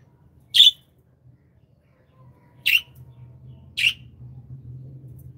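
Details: Happy budgies as pets, three separate sharp chirps spaced irregularly, one to two seconds apart, over a quiet low hum.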